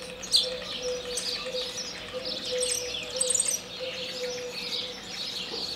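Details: A European starling (Sturnus vulgaris) in Moldova improvises a dense, rambling jazz-like medley of squeaky whistles, clicks, rattles and wheezy chatter, with a steady low hum behind it.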